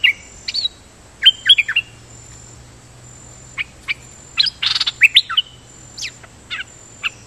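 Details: Captive Dok Taeng bird singing decoy song with steady doubling: clustered bright chirps, a short noisy rasp near the middle, then scattered high chirps and trills.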